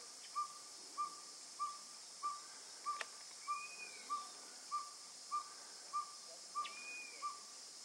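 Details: A Northern Pygmy-Owl gives a steady series of short, mellow toots, about one every 0.6 seconds, at about 09:45 on 10 June 2011 on the Bledsoe Loop trail, Ramsey Canyon Preserve, southeast Arizona. Another bird adds faint thin whistles over a high hiss.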